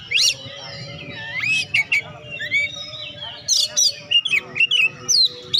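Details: Oriental magpie-robin singing to encourage sluggish birds to sing; varied whistled slurs, twittering chirps and a few scratchy bursts, with a steady low hum in the background.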